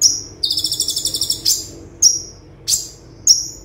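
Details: Konin (olive-backed sunbird) tutor song in the 'tembakan' rapid-fire style, for training caged birds: a sharp high chip, then a fast buzzy trill of about fourteen notes, followed by piercing chips spaced roughly every 0.6 seconds.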